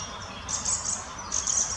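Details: Adult and juvenile Fieldfare at Munich's Botanical Garden: two quick clusters of very high, thin chirps, three or four notes each, separated by a brief pause, with faint low rumble underneath.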